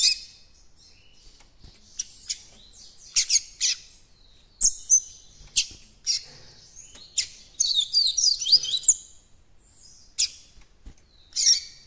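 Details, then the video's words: Captive young coleiro-baiano seedeater working out its encarte song: sharp high clicks and chirps building into a busier twittering run of quick whistled notes near the middle, then fading to sparse chips. "COLEIRO BAIANO FILHOTÃO QUERENDO ABRIR CANTO DO ENCARTE"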